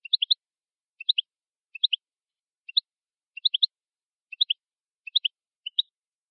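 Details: European goldfinch, clean 'limpio' song style, 2020 recording: short high clusters of two to four tinkling notes repeated roughly every second, slightly irregular, in a quiet background.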